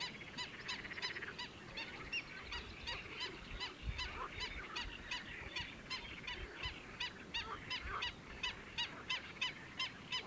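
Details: Black-winged stilt calling without pause during the breeding season at Kayseri Sultansazlığı: sharp, yelping, nasal notes, about three per second in an uneven, continuous series, over a low background rumble.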